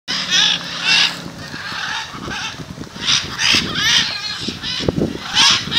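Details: A gathering of macaws in front of a house in Jaumave, Tamaulipas, in February 2015 gives loud, harsh, grating squawks in overlapping bursts every half second to second over a low background rumble.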